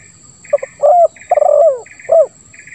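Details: Spotted dove (tekukur) giving the 'lambung kuk 1 suara ngeruk' coo, used as bait for silent birds. A short double note, a throaty coo, a long rolling rasp, and a falling final note. Steady chirping is in the background.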